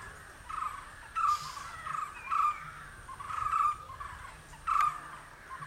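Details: Green Indian barbet calling: a loud, hollow note repeated about once a second, five times in a row, against a steady high hiss and a quiet rural background.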